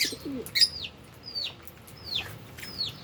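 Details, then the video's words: Albino and Fischer's lovebirds eating and playing, a few high downward-sweeping chirps spaced about half a second apart, one sharp click, and a brief lower note at the start. "Lovebirds Chirping Sounds"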